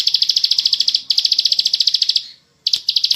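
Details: Bar-winged prinia, ngebren style, recorded to train other birds: fast, piercing notes pulsed in long trills, a short pause, then a brief silence before the trilling resumes.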